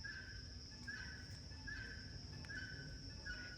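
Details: On a small farm in Ghana, a female guinea fowl, whose sound differs from the male's, gives a harsh two-part call, repeated roughly every second.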